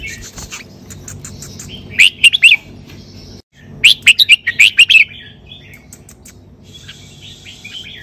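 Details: Caged red-whiskered bulbul singing 'sai berl' style song: a short burst of three lively warbled notes, a brief pause, then a longer run of six rapid, bubbling whistles over a soft steady hum.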